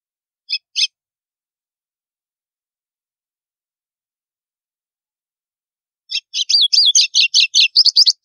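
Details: White-throated seedeater in the snapping 'estalo' song style meant to stir other birds: two short sharp notes, a long silence, then a rapid burst of crisp, slurred, clicking high notes repeated in quick succession.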